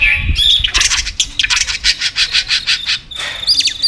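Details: White-rumped shama in contest singing, tail-flicking: a whistle followed by a fast train of harsh, broadband chattering bursts, about three per second, ending with high thin whistles.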